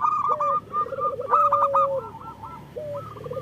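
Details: Local zebra doves sing to coax reluctant birds into singing. A drawn-out purring coo runs under crisp, stuttering higher coo notes from another bird, overlapping throughout.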